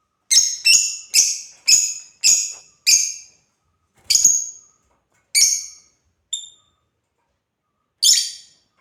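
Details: African lovebirds playing, first a steady run of six strident chirps about half a second apart, then scattered single chirps including one short clear whistle-like note.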